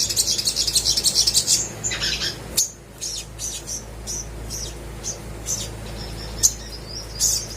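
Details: Little spiderhunter song meant to prompt reluctant birds to sing: a dense, bright twittering burst opens, then scattered single sharp high chirps follow at uneven intervals over a quieter background.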